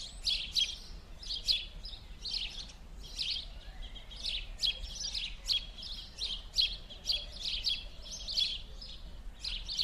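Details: House sparrows in winter, 16 January 2016, on rue Gordon in Verdun, Montreal, chirp continuously in a busy chorus, with harsh, overlapping notes repeated several times a second over a faint background hum.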